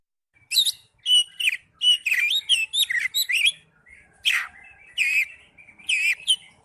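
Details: Kacer, the Oriental magpie-robin, in ngipas style: crisp separated phrases of bright chirps and whistled notes, some stacked and ringing, delivered in short bursts with clear silent gaps.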